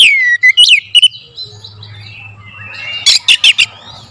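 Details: Oriental magpie-robin singing a lure song with sharp bursts: swooping whistles falling from high to mid pitch, a quiet warbled middle stretch, then a rapid cluster of four loud clicky notes near the end. Faint low hum underneath.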